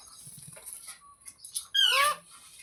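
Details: Single loud, harsh parrot screech with stacked harmonics, bending downward. It comes after a few seconds of faint rustling and soft background noise.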